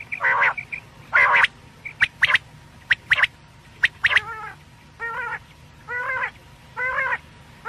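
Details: Night quail call from Pakistan, used in quail hunting: buzzy nasal notes and crisp high doublets, then a steady run of stacked nasal notes about once a second.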